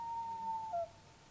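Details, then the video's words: A male Common Loon sings to mark his territory on the shore of Big Manistique Lake, Michigan's Upper Peninsula: a long, pure, mournful whistle that sags slightly, then breaks briefly to a lower note, in quiet surroundings. "Song of the loon"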